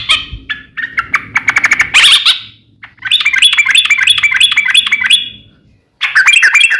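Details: Sooty-headed bulbul fighting song with long trills, used to lure other bulbuls into singing: scattered chirps and a harsh burst, then a sustained rapid rolling trill, a silence, and another trill starting.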